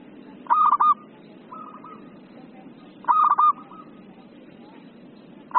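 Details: Zebra dove (perkutut) in the agitated 'emosi' singing style: two loud, rolling, stuttered coo phrases about two and a half seconds apart, with a faint echoing phrase between them.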